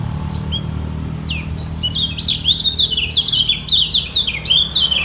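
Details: Kecial kuning white-eye dueling by song to keep its top spot; a few scattered thin chirps build into an energetic run of sharp, falling high notes, with a low background rumble.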